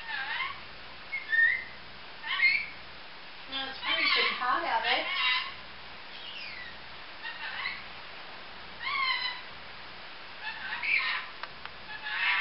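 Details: A pet female grey-green olive lorikeet gives a run of sharp, squeaky whistles and chattering notes in bursts, with a louder rasping, squawking stretch partway through.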